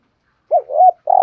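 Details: Spotted dove in thúc gù cooing, heard as a rising-and-falling double coo and the start of a longer, level, rolling coo that is cut off.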